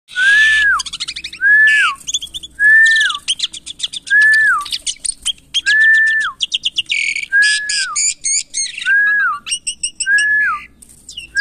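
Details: A captive Asian pied starling being tamed and cared for gives a steady series of loud rising-and-falling whistles, about one per second, mixed with harsh chattering and clicking notes.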